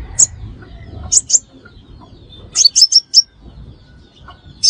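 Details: Crimson sunbird used as a trapping lure, giving scattered single high chips and one short run of four notes amid quiet background noise.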